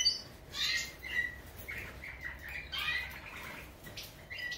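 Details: European goldfinch of the subspecies major, twittering bursts of high notes mixed with short buzzy chirps in uneven clusters, some soft wing flutters between phrases.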